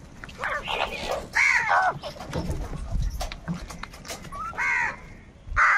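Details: Crows squabbling over food give a few rasping caws separated by stretches of rustling and low rumbling background noise; a loud harsh caw near the middle, others shorter toward the end.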